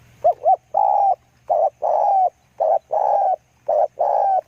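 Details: Spotted dove used as a decoy bird. Low, mellow cooing: a quick double note, then alternating short and drawn-out hollow coos in steady succession, with a faint low hum underneath.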